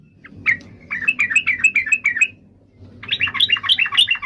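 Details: Yellow-vented bulbul song: an even string of clear, slurred notes, then a brief gap and a brighter, higher bubbling run.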